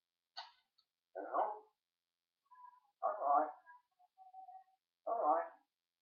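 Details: Pet talking parrot recorded on 1 June 2013, giving four short, husky speech-like bursts about a second apart with faint tonal notes between them, otherwise quiet.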